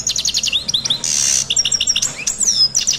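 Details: European goldfinch in full song: fast trills of high metallic notes, a harsh buzzing wheeze in the middle, then more tinkling chirps and a long falling whistle.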